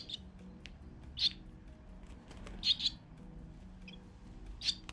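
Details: Young swallows in the nest on a sunny April day in 2020, shortly before fledging, during feeding. Brief, scratchy, high chirps sound in scattered clusters, some doubled, with a faint low background drone.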